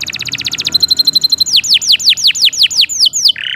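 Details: Canary singing long for training other songbirds: a fast buzzy trill, a steady held whistle, then a run of loud downward-slurred notes repeated several times a second, ending in a harsh rattle.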